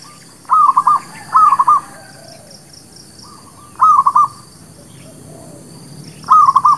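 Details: Zebra dove song used to lure birds for trapping and to train new birds. Four trilled, staccato cooing phrases: two come close together, then two more spaced further apart, with faint distant dove phrases between.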